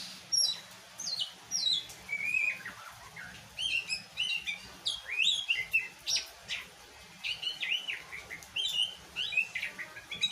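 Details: Kacer, the Oriental magpie-robin, delivers a busy song of short whistled and chirped notes, many sweeping up or down, in rapid bursts separated by brief gaps. The phrases are varied and repeated throughout, over quiet low background noise.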